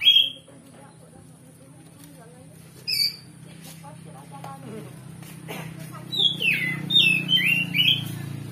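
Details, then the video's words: Oriental magpie-robin, loud song meant to provoke another bird into replying: faint scattered chips and ticks at first, then in the final seconds a lively string of whistled, downslurred phrases over a steady low hum. "Pancingan Kacer Gacor Ngeplong Bongkar Isian"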